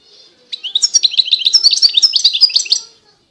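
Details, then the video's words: European goldfinch delivering a fast, rolling song of tinkling, twittering notes lasting over two seconds, preceded by a faint soft note. "Chant De Chardonneret"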